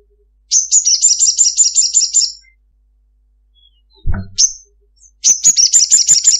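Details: Female ruby-cheeked sunbird calling a male, in the long chattering 'ngekek' style: a rapid, very high buzzy trill of repeated notes lasting about two seconds, a lone sharp note, then the quick trill starts again.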